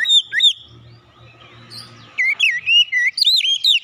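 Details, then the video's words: Oriental magpie-robin lure song opening with two looping whistles, a lull with low background hum, then a rapid string of swooping whistled notes. "PANCINGAN KACER LANGSUNG PANAS BONGKAR ISIAN"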